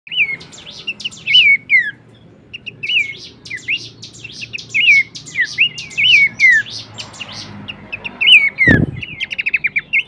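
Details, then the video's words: Horsfield's babbler vocal material used as a training recording for songbirds: clear whistled notes that swoop up then slide down, repeated in quick series, over dense high chirps and trills, with a sharp knock near the end. "materi vokal mewah cetak jawara dengan masteran Topcerr khas burung pelanduksemak."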